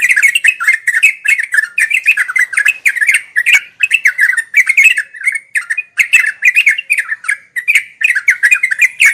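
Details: Sooty-headed bulbul singing in a continuous ngeropel style, used as daily practice audio for birds learning to sing; bubbly, chattering phrases run almost without pause, mid-pitched warbled notes with sharp clicky edges.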